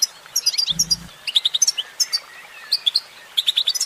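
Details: A female goldfinch sings quick clusters of thin, high chirps and liquid twitters, broken by a short pause, with one brief low thud near the start.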